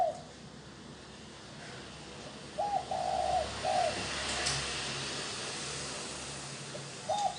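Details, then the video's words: Spotted dove cooing as a decoy call to lure wild doves: a short run of soft, low, hollow coos in two spaced bursts, with a faint hiss of background noise between them. "Tiếng chim cu gáy gù gọi hay cực chất dùng kích bổi gù kich mồi"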